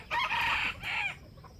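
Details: Wild junglefowl rooster crowing near a bait trap, a loud harsh crow in two parts, a longer rising-then-level first section followed by a shorter falling phrase, with faint chirping of small birds behind.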